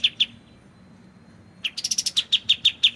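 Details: Clear song of a white-shouldered triller used as a training recording: two high chips, a silent gap, then a fast burst of sharp rising notes settling into steady repeated chips, with gentle water trickling underneath.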